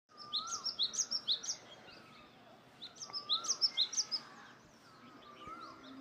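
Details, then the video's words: Birds chirping: two quick bursts of high, sharp chirps repeated rapidly, with a softer lower whistled note sliding underneath and steady background noise between bursts. "Birds are chirping Sound"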